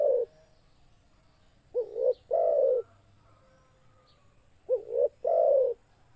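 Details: Spotted dove (Spilopelia chinensis) coo call: soft, low coos, a quick hooked note then a longer rolling coo, repeated about every three seconds in a quiet setting.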